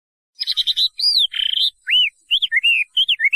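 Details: Chinese hwamei singing a short burst of buzzy chatter followed by loud, looping arched whistles and quick slurred notes.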